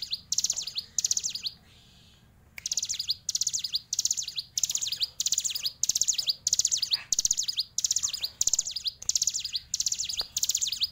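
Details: A Hill prinia (ciblek gunung) kept as a fighter bird sings a long run of high, sharp chirping phrases, about two each second, with a brief pause early on; faint background rumble.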